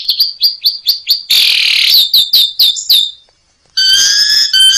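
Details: Asian pied starling song from a training recording for caged birds, said to be full of rich filler phrases: fast run of short bright chirps, then a buzzy rasping burst, more chirps, a pause and a dense harmonic chatter.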